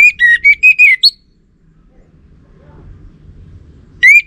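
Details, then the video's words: Orange-headed thrush lure song meant to draw a reply from males. It opens with a phrase of six sliding whistled notes and a higher upslur, then falls silent before another phrase begins at the very end. "Ga Bunyi Dengan Pancingan Burung ANIS MERAH Ini dipastikan Itu Burung Betina, Jantan Pasti Nyaut"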